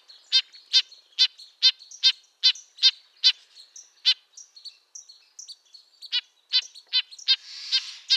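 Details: Red-breasted nuthatch giving short nasal, tin-trumpet notes with a buzzy harmonic ring, repeated roughly twice a second, a few softer notes and a faint hiss near the end.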